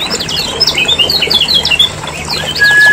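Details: Lombok lemon-bellied white-eye lure sound: rapid high twitters and short down-slurred chirps in a noisy jumble, closing with a sustained level whistle, with a faint low drone beneath.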